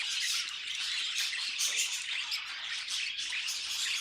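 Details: A group of pet budgerigars singing, a thick wall of bright chirrups and harsh squawky twitters with no gaps across the short stretch.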